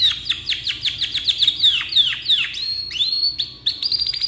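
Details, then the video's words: Rolling canary, black-red, singing a long tutoring song of repeated down-slurred whistles in quick succession, then rising and level high whistles with short fast trills. "GACOR KICAU PANJANG COCOK BUAT MASTERAN"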